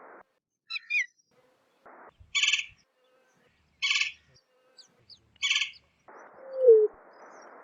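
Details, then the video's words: Greater roadrunner (Geococcyx californianus) giving three harsh, rasping bursts about a second and a half apart, with a few thin chirps before them and a low, falling note at the end. "Greater Roadrunner Call - Greater Roadrunner Sound"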